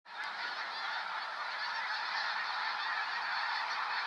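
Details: Snow geese, a large flock lifting off near Sacramento National Wildlife Refuge in November 2018: a dense, continuous din of overlapping high honks and yelps, beginning abruptly and holding steady throughout.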